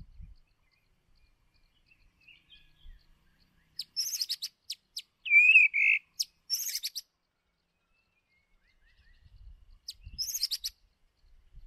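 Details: White-rumped shama lure bird for voice training: scattered high sharp chips and clicks, a short loud warbled whistle in the middle, then more high chips, with long quiet gaps.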